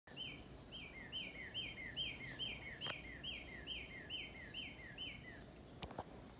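A Northern Cardinal sings a steady run of clear, whistled, down-slurred notes, about two per second, over low background rumble and a couple of sharp clicks.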